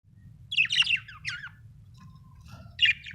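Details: Happy budgerigar chirping in short bursts of bright, warbled notes with quick rising and falling twitters, a pause, then another sharp chirp near the end; faint low rumble underneath.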